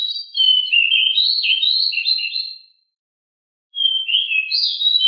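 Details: Pied bushchat (decu) delivering fast, agile 'ngeroll' rolling song: a dense, noisy warble of high twittering phrases, about two seconds long, then a pause and a fresh burst; no other sounds.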